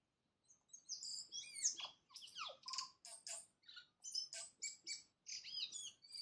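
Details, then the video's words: At daybreak a tui pours out a dense, jumbled song of sharp clicks, high tinkling whistles and rasping buzzes, the phrases coming in quick bursts after a short silent start. "Tui singing in the new day"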